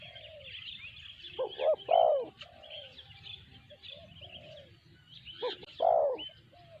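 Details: A spotted dove gives a sanji-type coo, two short hoots and a long low note, then begins another phrase, amid busy chirping and twittering of other birds.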